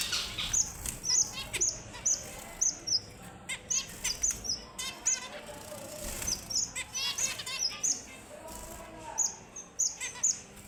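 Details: Red avadavat sounds: a run of bright, very high whistled pips, repeated roughly every half second, interleaved with rapid chirping twitters. There is a quiet background with occasional soft rustles.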